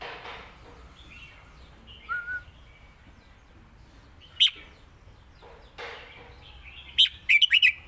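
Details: Caged red-whiskered bulbul in Thailand, singing in the southern styles called lak wai and mae bot. Short bright warbled phrases come in scattered bursts, with a brief phrase near the middle and a quick run of chirpy notes at the end, over quiet background hiss.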